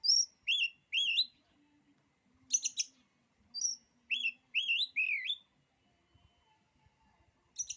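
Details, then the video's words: Oriental magpie-robin whose song reportedly makes other magpie-robins lose courage: high thin whistles alternating with fuller looping slurred phrases, a couple of sharp scratchy bursts, then quiet. "kicauan kacer ini, bikin nyali kacer lain jadi ciut."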